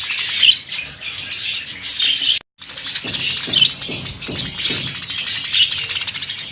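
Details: Many budgerigars for sale chirruping continuously, high buzzy warbles and tweets layered densely, cut by a short silence, then joined by several dull low thumps repeating roughly every half second.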